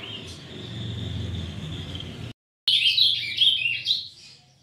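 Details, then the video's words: Young brown Ultramarine Grosbeak beginning to sing. A steady faint whistle and low hum come first, then, after a brief cut, a bright, rambling phrase of high warbled notes wanders up and down. "AZULÃO PARDO COMEÇANDO A ABRIR CANTO"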